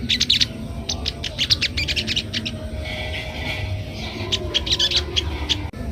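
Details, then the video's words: Crested jay (sogon) singing in the ngeriwik style, used to train young birds: rapid bursts of sharp, high chirping notes in quick clusters, pausing briefly between runs, over a low steady background hum. "suara sogon ngeriwik"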